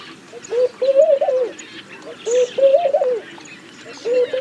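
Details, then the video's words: Three soft, rolling coo phrases from a laughing dove, repeated about every two seconds, each a short lead note followed by a trembling series of low coos; faint distant chirping. "Laughing Dove - Calls"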